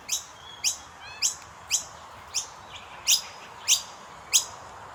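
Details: Begging calls of common myna nestlings being fed: short, bright, high chirps spaced about every half second, each a quick downward stroke with a thin whistled tone, over faint background hiss.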